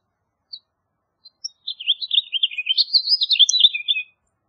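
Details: House Finch (Haemorhous mexicanus) singing: after a few scattered high notes, a rapid warbling run of slurred, jumbled notes lasting over two seconds, rising toward the end before falling away.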